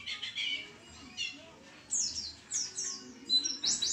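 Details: Energetic white-eye song: soft high twittering at first, then louder sharp descending chirps and trills in quick succession over a low background hum.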